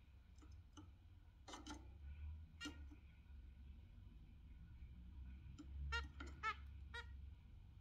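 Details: Exhibition zebra finch pair in morning sun in the UK gives short, nasal, toy-trumpet calls in scattered bursts over a low steady hum; Zebra finch.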